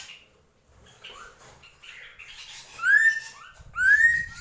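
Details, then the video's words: Drongo song in the gentolang style: soft scattered chirps and murmuring notes build to two loud, clear whistles that slide upward, the second followed by a low rumble. "SRIGUNTING KRANTIL | GENTOLANG"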